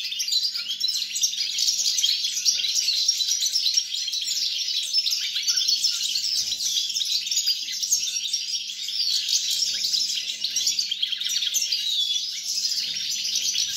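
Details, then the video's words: European goldfinch singing, recorded on 29 December 2022: a continuous, rapid stream of bright twittering and tinkling notes, dense and unbroken throughout, with a faint steady low hum underneath. "GOLDFINCH SONG"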